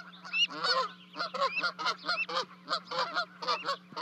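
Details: Canada geese near a 30-foot osprey nest in Charlo, Montana, 12 May 2020, two goslings leaping to their parents; harsh, noisy overlapping honks in an irregular jumble, with a low constant hum.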